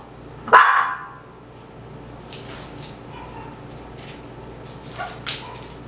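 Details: Pet male Moluccan cockatoo indoors in a basement bird room, close to the microphone, giving one loud, harsh squawk about half a second long, followed by faint scattered room sounds.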